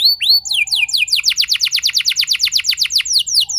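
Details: Lure song of a canary, the rolling 'ngeroll' type: a few rising whistled notes, a falling sweep, then a steady fast roll of sharp descending syllables, about seven per second.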